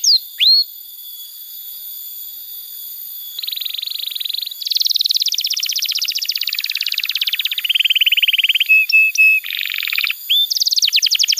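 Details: Canary song for training young canaries, with rapid trills, buzzy rolled phrases around mid-high pitch, short whistled notes and sharp chips, shifting between segments after a quiet start.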